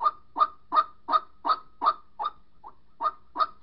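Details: White-breasted waterhen mate call used for trapping: ten throaty, honking notes in under four seconds, even in rhythm, one noticeably softer note near the end, quiet background.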